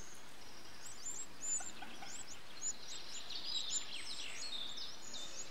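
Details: Eurasian wren nestlings being fed by an adult on 8 June 2013 give a rapid chorus of thin, very high, squeaky begging notes. The notes overlap and rise in excitement over a low steady rumble.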